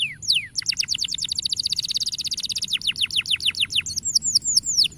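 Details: Canary song used to encourage juvenile canaries to sing: a couple of falling whistles, then a long rapid trill of high chips that slows into separate down-slurred notes and ends with upswept whistles.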